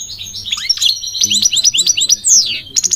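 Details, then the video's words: Goldfinch song: a fast run of sharp, high twittering notes repeated several times a second, then a bright descending slur and a final burst of twitters. "The elegant migratory goldfinch sings the most beautiful singing"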